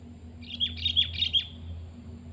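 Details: A sooty-headed bulbul delivers a short, bubbly phrase of four or five quick chirping notes in under a second, with a steady low hum underneath.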